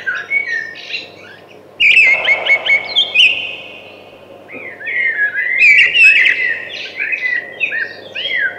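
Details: Thrush singing: two bursts of clear whistled, warbling phrases with quick trills, the first near two seconds in and the second from about five seconds, separated by a quieter pause.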